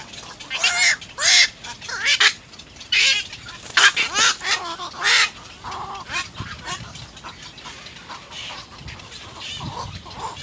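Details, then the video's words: Little egret nestlings, three chicks at a nest, begging from their mother to be fed: a run of loud harsh rasping squawks in the first half, then quieter repeated nasal chatter. "little egr Three baby birds bite their mother to feed (nest 3)"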